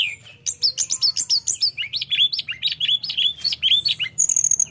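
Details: Flowerpecker singing vigorously to provoke rivals: a rapid rhythmic chain of high chirps and downward-curving whistled notes, about four per second, closing with a thin, sustained very high whistle.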